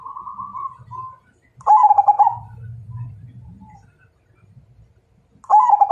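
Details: Majapahit-strain zebra dove's fighting-challenge song. A quieter, steady coo and low rumbling background come first, then two loud stammered cooing phrases follow, each ending in a drawn-out note.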